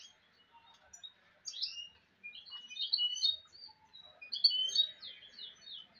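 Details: Hybrid goldfinch, a mule, delivering bright chirps and quick rising and falling twitters in clustered bursts, with short pauses between phrases against a quiet background.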